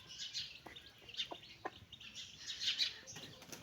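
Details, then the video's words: A mother hen calls her babies for a walk with short, low clucks, three spaced about half a second apart early on. Busy high chirping from the chicks carries through, with a brief wing-flapping sound. "mother hen calling her babies chicks for walk"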